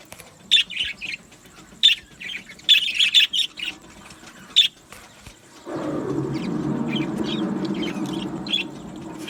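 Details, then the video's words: Budgerigars in an aviary giving short high chirps in quick clusters, then a broad rushing noise takes over while scattered chirps continue. "Beautiful Budgie singing and chirping sounds | Budgie parakeets sounds"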